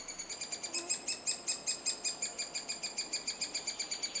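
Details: Estonian three-toed woodpecker during nesting time, around a cavity in an old softened tree. Louder, piercing high chirps pulse rapidly at two to three per second, swelling and fading slightly in strength, with a calm backdrop.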